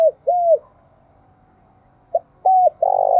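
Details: Spotted dove in the hills of Đồng Nai, Vietnam, in the urging and calling coo styles: two arched, falling coos, a gap, then a clipped note, another arched coo and a long, rough sustained coo.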